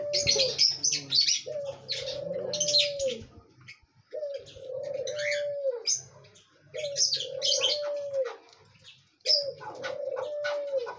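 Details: Chukar partridge calling: bursts of low, arched, steady notes repeated in runs of two to four, with short silent gaps between bursts, overlaid by sharp, high chirps throughout.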